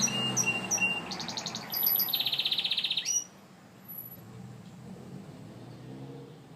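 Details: Gloster canary singing: a fast buzzy trill of rapid repeated notes near the middle of the range, preceded by brief chirps, then fading to soft background twittering.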